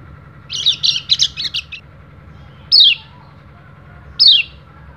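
Oriental white-eye giving a burst of thin, high chirps, then two sharp descending 'ciak' notes about a second and a half apart, over a low hum.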